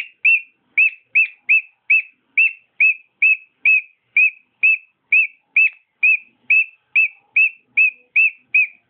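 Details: Singing pet cockatiel gives evenly spaced, clear whistled notes, each rising then dropping slightly, about two per second in a regular rhythm.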